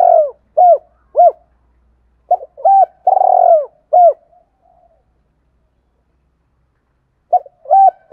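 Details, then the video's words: Lure call of a spotted dove for attracting wild doves: bursts of hooked mid-pitched coos, a run of short notes and one longer drawn-out coo, then a long silent pause before the phrase resumes; no background noise. "tiếng cu gáy Thúc cực đỉnh dùng kích bổi rất hiệu quả"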